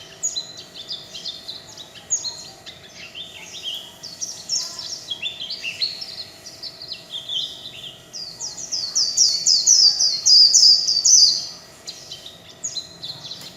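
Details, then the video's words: Warbling white-eye in líu chòe song, a kept bird: soft, busy, jumbled high chirps build into a loud, dense trilled burst before dropping away. "Tiếng chim vành khuyên líu chòe (không tạp âm) - Vành khuyên líu chòe"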